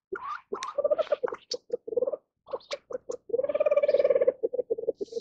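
A Reeves's pheasant gives quick, low, hoarse clucking notes, breaking into a second-long run of fast, chattering pulses before the clucks resume.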